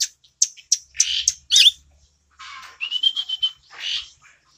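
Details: Tame Asian glossy starling with red eyes and black feathers, prized for its clear, shrill voice: scattered sharp chirps and harsh squawks, then a quick train of level whistled notes ending in a raspy buzz.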